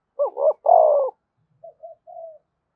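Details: Single spotted dove coo phrase, played to get other doves cooing: a loud throaty two-part note followed by three soft, short descending coos.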